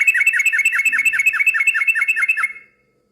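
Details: Lively, noisy yellow-vented bulbul song meant to make other bulbuls answer: a quick run of about twelve bright chirping notes, roughly five per second, stopping abruptly after two and a half seconds, then silence.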